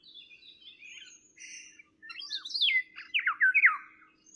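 Eurasian Golden Oriole giving a short run of loud, fluty slurred notes that drop in pitch, after faint, thin twittering at the start.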